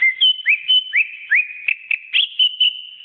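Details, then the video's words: Greater green leafbird, the cucak ijo, singing energetically in a training recording for pet songbirds: clear whistled notes, several slurring sharply upward, alternating with steady high whistles at a quick, uneven pace of about two notes per second. "Suara Burung Cucak Ijo"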